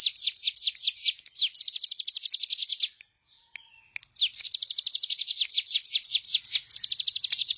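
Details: Bar-winged prinia singing for a master recording used to train birds: runs of quick, high, falling notes, some slower and spaced, others packed into rapid trills, with a pause of about a second midway.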